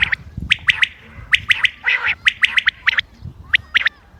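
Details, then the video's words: Common quail, dated 28 May 2025, used as a hunting call: crisp, high, clipped notes come in fast pairs and triplets with a brief hoarse burst in between, repeating steadily. "quail bird sounds common quail bird sounds بٹیر کی آواز شکار کیلئے"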